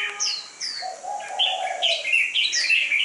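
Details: Red-whiskered bulbul being conditioned for song competition, described as having a fierce fighting style. Loud, clear whistled phrases: short rising and falling notes that run into warbled, slurred runs, one lower drawn-out whistle, and bright notes repeated quickly near the end.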